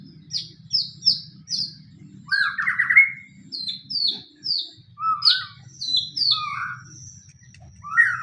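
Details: Fighting-type white-rumped shama song used as a lure to make any shama sing along: crisp high downslurred notes in quick series, mixed with lower rich warbles and rising whistles, over a soft low rumble.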